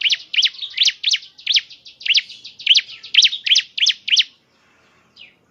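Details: Ciblek semi, the bar-winged prinia, singing as a lure to prompt another bird to sing: a steady string of about fifteen sharp, rising-falling high chirps, evenly spaced, ending abruptly before one soft final note.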